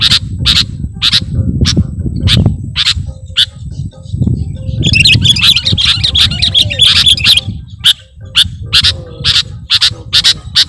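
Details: Sooty-headed bulbul lure sound for bird catchers: sharp, harsh chirps repeated about twice a second, with a burst of dense chattering midway, over a steady low rumble of background noise.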